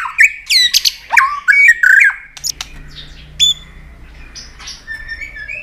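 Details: White-rumped shama singing aggressively with tail-flicking: a burst of loud steep-falling and rising whistles and chirps in the first two seconds, then a few faint notes over low hum.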